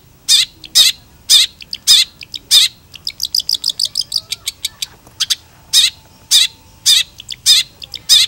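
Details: Long-tailed shrike in full gacor song as a tutor recording: loud, harsh, evenly spaced chips, then a quick series of thin ticking notes, and the harsh chips return.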